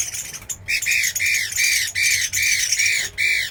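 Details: Chinese hwamei repeating a harsh, arched squawking note about seven times in quick succession, each note rising then falling, after a brief opening burst.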